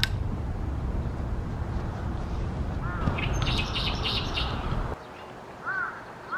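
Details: Oriental reed warbler in full voice near its yearly nesting reeds in Ashiya, Japan, 28 May 2020: a loud harsh grating phrase after three seconds, followed by quieter spells with arched whistled notes from another bird, all over low rumbling noise.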